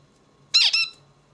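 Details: Brief buzzy double note from a zebra finch, nasal and harmonic-rich with a downward slide, heard against a quiet indoor background.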